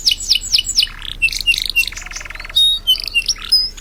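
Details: Energetic canary song meant as training material for other birds: several quick falling whistles, buzzy mid-pitched rattles, a sustained dense trill, and sharp thin whistled notes in a varied sequence.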